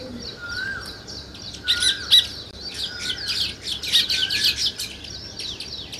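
Sparrows chirp in a busy chorus of short, bright, overlapping chips, with a few low whistled notes running underneath.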